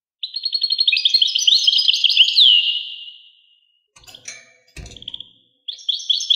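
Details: European goldfinch song phrase of rapid twittering and a falling slur, fading away, followed by a few brief clicks and scraps of notes before the singing restarts.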